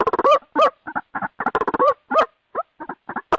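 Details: White-breasted waterhen calling as a trapping lure: clipped, nasal croaks and rapid stuttered notes, some with a rising-falling inflection, in short irregular groups.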